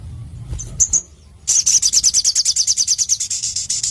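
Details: Crimson sunbird singing actively with a clear voice: a couple of thin high chips, a short pause, then a fast, piercing trill of even, sharp notes repeated several times a second that carries to the end, with a low background rumble.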